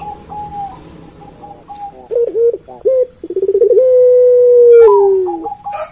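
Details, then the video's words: Puter pelung dove, a keen caller, gives a few short hollow hoots. These lead into a rapid rolling stutter and a long drawn-out low coo that slowly drops in pitch. Soft higher whistles sound before and after. "Burung Puter Pelung Gacor Bunyi Terus"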